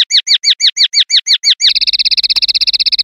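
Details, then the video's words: {'text': "Common linnet in 'limpio' song style, 2021/2022 recording: eight slower, rising-falling chirped notes about five per second, then a switch to a quick, tight trill of short notes. Clean, with nothing else audible."} "PARDILLO LIMPIO"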